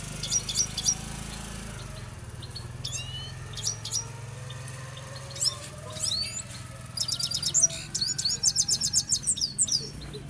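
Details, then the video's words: Song of a Himalayan goldfinch from Quetta: scattered high chirps and short twitters separated by pauses, building to a fast tinkling, jingling trill near the end, with a constant low background hum. "himaleyan goldfinch singing"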